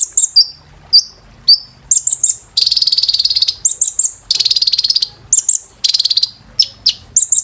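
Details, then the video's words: High-pitched kolibri ninja sunbird therapy song for caged birds, alternating short downslurred whistles, quick bursts of piercing tweets and several second-long buzzy, rapidly pulsed trills. "KOLIBRI NINJA TERAPI GACOR"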